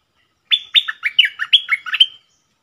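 A bulbul gives a quick, bubbly phrase of about eight liquid, warbling notes dipping and rising over under two seconds. No other sounds are heard.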